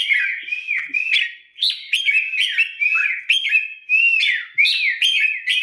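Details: Competition-trained Red-whiskered bulbul getting into form for a coming contest: a continuous, lively run of looping whistled notes, each slurring up then down, with sharp clicks between phrases.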